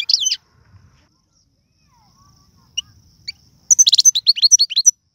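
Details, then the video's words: Algerian goldfinch in the tiwawti, galoubi and serfati song styles for training young birds: an opening slurred twitter, a pause, then a rapid run of about ten bright chattering notes. "من اقوى اغاني طائر الحسون, تيواواطي قالوبي النادرة + سرفاتي"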